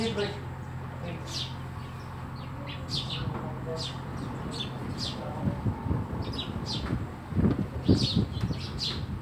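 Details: House sparrows at a home giving scattered bright chirps, several birds calling irregularly over a steady low hum, with thumps and rustling near the end.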